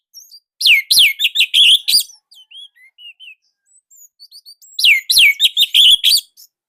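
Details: Indonesian orange-headed thrush singing a loud, tight training song: a dense burst of falling whistles, then soft scattered chirps, then another rapid burst of bright descending notes.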